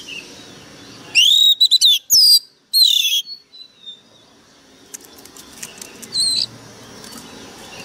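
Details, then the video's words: An Oriental magpie-robin in high-energy, fired-up form sings a very sharp burst of loud, clear, sweeping whistles for two seconds, then softer scattered chirps and a final bright note. "Chòe than mồi căng lửa bắn giọng cực gắt"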